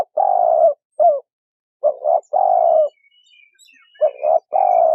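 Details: Male and female spotted doves in a calling recording used to lure wild birds: deep, mellow coo phrases, a short double note followed by a long, slightly falling coo, repeated in bouts, with faint high chirps from other birds between them.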